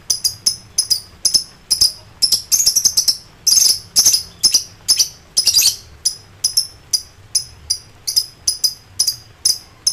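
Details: An excited lovebird calling out to rivals in ngekek style: rapid high chirps that thicken into dense, harsh chattering bursts midway, then return to quick, evenly spaced sharp notes.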